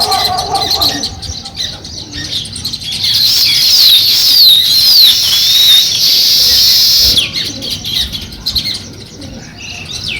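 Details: Sparrow chirping as it starts to build a nest; high, twisting chirps cluster in the middle seconds over a steady hiss, then fade near the end.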